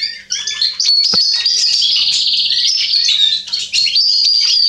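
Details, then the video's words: Male Atlantic canary in song on 27 October 2020: a bright, continuous high twittering with rapid rattling trills and clear whistled phrases. A brief sharp click is heard near the start, and the song carries on without pause. "Kanariengililtz Männchen am Singen."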